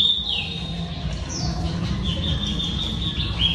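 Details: Female oriental magpie-robin song meant to excite males: long, thin, sustained whistles with a few downward slides, fairly faint against a strong low hum.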